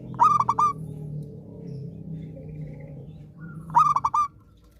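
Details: Zebra dove in song, meant to restart silent doves; two phrases of quick, fluting pulsed coos about three and a half seconds apart, over a noticeable low droning background.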